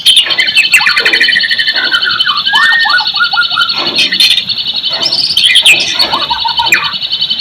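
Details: White-rumped shama song used to stir silent shamas: varied whistles and rapid descending note runs over a steady, continuous high ringing hum throughout.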